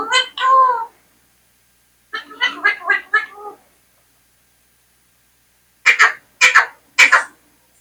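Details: Indian parrot talking: two bright nasal syllables, a pause, a stuttering string of four or five quick harmonic notes, then after silence three sharp, explosive clicks about half a second apart.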